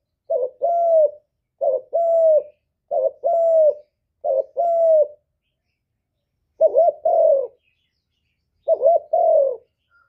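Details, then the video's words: Steady cooing from a spotted dove meant to draw answering calls: six low two-part phrases, each a short note then a longer level-to-falling coo, repeated about every second, then spaced more widely. "Chim Cu Gáy Kích Nổi Cực Phê, Nghe là gáy theo liền"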